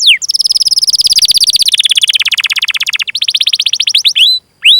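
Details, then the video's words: Canary song as a training lure: long rapid rolling trills, pitch dropping gradually across the phrase, broken by a short pause, then a few brief upslurred notes at the end. "Masteran Suara Burung Kenari Gacor Panjang cuit cuit Ngerol untuk Pancingan Kenari!"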